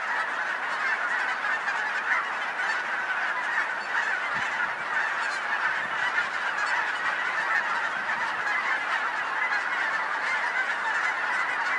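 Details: Countless geese in Colorado, a regular local flock, keep up a thick wall of honking, individual calls blurring into one constant clamour.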